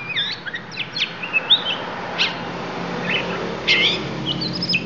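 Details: Lampung oriental magpie-robin singing its isian: scattered whistled notes and short upslurred and downslurred chirps, some sharp and high, with brief gaps between phrases over a steady low background hum.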